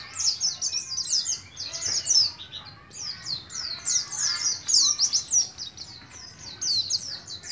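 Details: Young caged Oriental white-eye from Moga, Pemalang, Central Java, just beginning to learn its ngalas ngeroll song: high, rapid, sweeping chirps in dense bursts, pausing briefly near three seconds before resuming.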